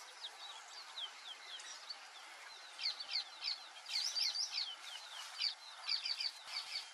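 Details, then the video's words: Several white-faced whistling ducks give high, clear whistles in quick three-note bursts, calling over one another against a soft background hiss. "IRERÊ (DENDROCYGNA VIDUATA), WHITE-FACED WHISTLING-DUCK"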